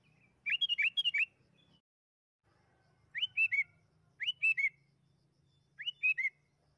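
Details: Sooty-headed bulbul lure song: a busy burst of warbled whistles, then three shorter phrases of three to four notes, each opening with a sharp rising whistle, spaced about a second apart over a faint hum.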